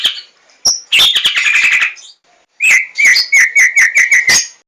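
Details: White-rumped shama lure song: a high whistled note, a dense chattering burst, a short pause, then a steady series of about nine loud clear whistles on one pitch, closing with a sharp note.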